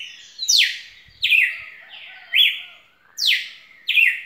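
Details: Red-cowled cardinal singing loud, rich phrases repeated about every second, each a bright downward-sweeping note followed by a short slur, strong and clear with little background.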